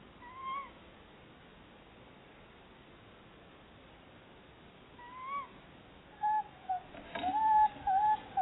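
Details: A pair of Tawny owls looking for a new nesting site at a barn owl nest box in Somerset, chattering to each other: two sharp, upslurred cries about five seconds apart, then a quick run of short, level, wavering notes, over a soft steady hiss.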